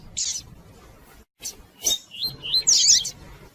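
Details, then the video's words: Calling female double-collared seedeater, meant to stimulate a male's singing; a high chirp, a pause, then a sequence of sharp, sweet twittering notes building into a dense squeaky flourish. "Fêmea de Coleiro Chamando e Piando Muito"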